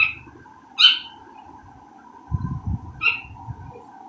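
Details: Two partridges shut in separately while food is being cooked, calling noisily: short bright chirping notes, three spaced bursts a few seconds apart, over a steady background hum and low clatter.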